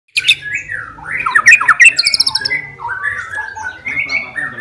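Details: Caged white-rumped shama, a fighter murai singing to provoke rivals: varied whistled phrases with sliding notes and short rapid trills, loud and rich.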